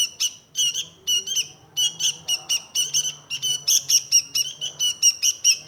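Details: Kutilang (sooty-headed bulbul), Indonesia, with rhythmic grating chirps roughly twice per second, evenly paced, becoming slightly louder toward the end; a soft low hum underneath.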